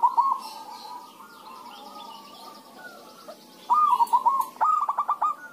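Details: Zebra doves answering each other to lure other doves to sing: a soft rolling coo fades out, then after a lull two sharper stuttering trilled coo phrases follow close together.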